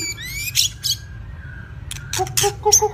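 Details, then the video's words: Two-season wild-caught White-rumped shama singing in training: a rising whistle and sharp bursts, a long soft whistle, then harsh chips and a quick pulsed series against a low hum. "chòe lửa tập lực.lửa bổi hai mùa | murai batu"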